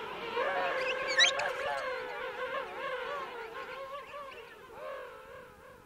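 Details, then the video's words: King penguin adults calling close up in a colony of adults and chicks at Right Whale Bay; several overlapping warbling, wavering trumpet-like calls with rich harmonics, one loud sharp note early on, others fading toward the end. "King Penguin. CU Adults Calling. Colony Of Adults And Chicks."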